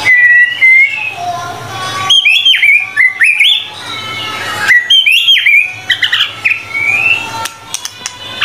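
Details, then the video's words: Murai batu, the white-rumped shama, singing energetically ('gacor') on tutoring material: long whistled phrases mixing clear slurred notes, fast chattering bursts and rising whistles, delivered in repeated strophes with brief gaps. "MURAI BATU GACOR"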